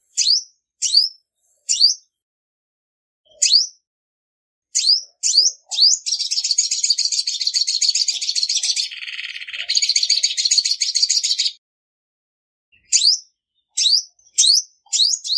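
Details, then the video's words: A female olive-backed sunbird, recorded in silence and calling to stir males, gives scattered high chirps, then a long, buzzy trill of over five seconds that dips briefly midway, then more spaced chirps. "Tiếng chim Hút mật 5 màu mái không tạp âm | Olive-backed Sunbird Female"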